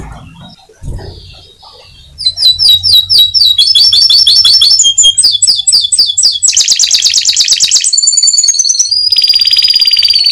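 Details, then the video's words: Ngebren-style canary song after a few quiet seconds: quick repeated chirp series, rolling buzzy trills, then sustained sharp whistles in shifting phrases, all loud and continuous. A low hum is underneath. "SUARA BURUNG KENARI NGEBRENN."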